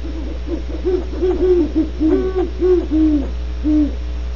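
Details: Great horned owls, Starr Ranch, California, deliver a dense stuttering series of deep hoots that slows into a few longer, well-spaced notes, with steady hum in the background.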